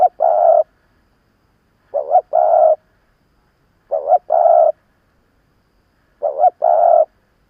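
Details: Seasoned decoy spotted dove cooing to lure and provoke wild birds. Four paired phrases, each a quick warbling note followed by a held, even coo, spaced about two seconds apart in a quiet setting.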